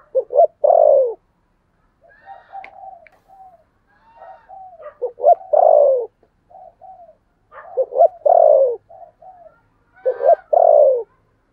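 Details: Spotted dove decoy, 'thổ' voice, calling to lure birds. Four phrases, each a rapid stuttered pair of notes and a loud descending coo, separated by soft low murmuring notes.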